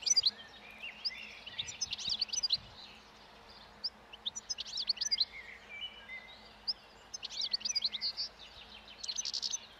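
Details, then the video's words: Wild European goldfinch feeding calmly on old thistle seeds beside a road while spring approaches and breeding song starts; several short bursts of sharp, high tinkling twitters spaced a few seconds apart, steady faint noise. "European Goldfinch Song and Feeding in Wild / Doğada Saka Kuşu Beslenmesi ve Ötüşü"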